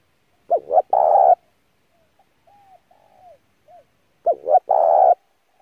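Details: Intense cooing of a spotted dove used to lure and train a newly caught dove: two strong phrases of double short notes and a long, booming coo, separated by gentle arched murmuring notes.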